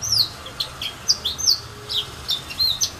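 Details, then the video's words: A serin at St Philippe, Réunion, near filao trees, sings a quick, high twittering song of bright chirps and short slurred notes, several per second, over a faint low hum. "serin pays"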